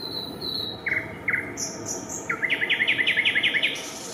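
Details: Eurasian coot family at their nest with chicks on fishponds at Raszyn, Warsaw, Poland, early May 2024: two isolated sharp notes, then a fast run of about a dozen clipped, harsh calls, with thin high whistles from other birds.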